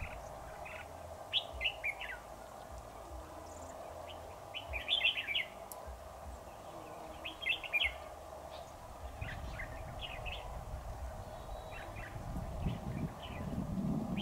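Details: Red-whiskered bulbul decoy singing to lure a rival into a trap, recorded 7 October 2019: clusters of quick chirped, warbling phrases repeated over a steady hum, with rumbling noise rising toward the end.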